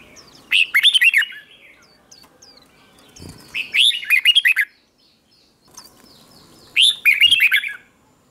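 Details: Red-whiskered bulbul morning singing to excite other birds into song battles; three energetic warbled phrases, each a rapid chain of up-and-down notes, roughly three seconds apart, with faint thin whistles between.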